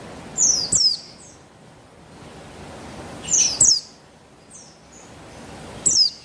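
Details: Female buxtoni white-eye, played to stimulate a male into song, dated 3/8/21: three bright paired chirps, each a quick high downslurred note, spaced about every three seconds with quiet between.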